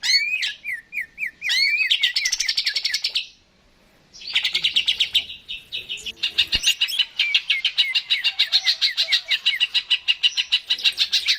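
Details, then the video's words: Greater green leafbird (cucak ijo) in energetic gacor song used to stimulate other birds to sing: rapid repeated chirps around 200 per minute, whistled slurs between bursts, a brief pause midway. "PANCINGAN CUCAK IJO GACOR, AMPUH BURUNG MAKIN SEMANGAT UNTUK BUNYI DAN GACOR"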